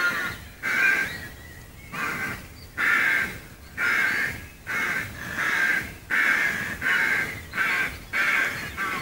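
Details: Several rooks cawing in the trees at Gaia House, Devon, heard from a nearby footpath; coarse, raspy calls follow one another about every three quarters of a second in an uneven chorus.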